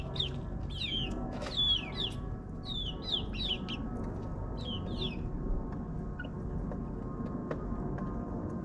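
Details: Chicks in their ninth week, backyard flock in a suburban setting: clusters of high, falling peeps during the first five seconds, then near quiet, all over a steady low droning hum.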